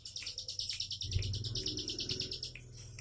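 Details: Bar-winged prinia singing in the relaxed 'tembakan' style: a fast, even trill of high buzzy notes running almost the whole time, over a steady low hum and some mid-range noise.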